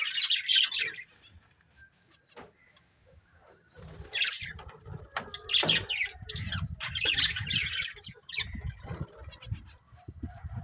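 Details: Budgerigars chirping in bursts of dense, scratchy high-pitched warble, with gaps of quiet between and soft low thumps or rustling underneath.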